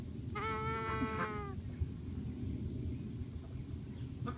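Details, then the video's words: Young Embden goose gosling drowsing off, letting out one drawn-out, slightly wavering harmonic peep lasting about a second, followed by quiet low rumbling background hum. "Embden Gosling Snoring"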